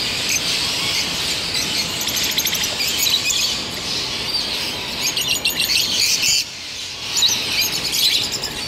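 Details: Mixed peach-faced lovebirds keeping up a constant high-pitched chatter of overlapping shrill chirps and rapid squeaky notes, briefly softer just past the midpoint before the noisy chorus resumes.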